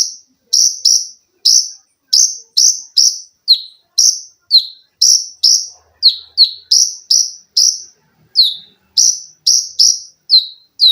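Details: Olive-backed sunbird kept as a cage bird, recorded as a training song for other songbirds: loud, rapid bursts of sharp high notes and shrill piercing trills, each phrase descending, repeated about twice a second in dense runs with brief gaps, no other sounds.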